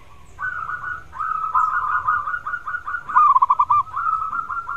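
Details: Caged zebra dove, kept as a model singer to prompt a quiet bird into singing, gives a series of rolling, purring coos around a steady mid pitch, each phrase ending in a brief trill, with faint low rumble behind.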